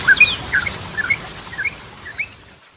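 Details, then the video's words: Yellow-vented bulbul in full song, offered as a lure to restart silent trucukan affected by stress; short bubbly, liquid phrases of rising and falling notes, with thin higher twitters above, fading toward the end. "Ragam Suara Burung Trucukan || Goklikan, Ropelan, Garudaan Cocok Buat Pancingan"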